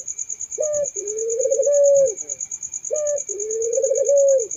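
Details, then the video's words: Turtle dove giving two coos about two seconds apart, each a short accented note followed by a long rolling purr, set against a steady shrill insect trill. "suara burung puter merdu syahdu"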